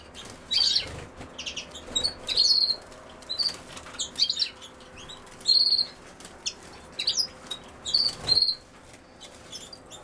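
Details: European goldfinch repeating short, high buzzy-tinkling call phrases roughly every one to two seconds, separated by quiet gaps, with faint clicking sounds.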